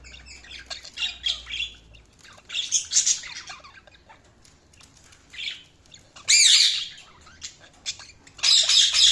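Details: Budgerigars chirping: scratchy, buzzy warbles and chatter with sharp, loud squawky calls near the end, some notes sweeping up and down, plus a faint low hum.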